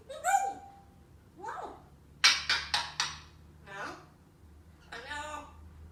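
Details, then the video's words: African grey parrot indoors, laughing and sneezing: a whistled falling note, a squeaky descending sound, then four sharp explosive bursts in quick succession like sneezes or laugh pulses, followed by more breathy rasping notes, with a low hum behind. "African grey parrot laughing and sneezing."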